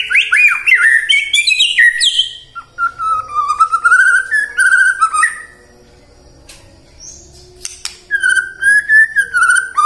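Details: White-rumped shama song used as a lure to prompt shamas to sing morning, midday and afternoon: rich, varied whistled phrases, sliding and warbling notes broken by short pauses, a few sharp chips and a sustained fluty line near the end.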